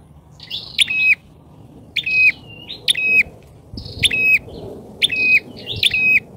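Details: Bar-winged prinia lure call, loud and persistent, used to attract wild birds: sharp double-note chirps with a steady high tone and a flicked upper note, in bursts about every second, with short pauses between groups.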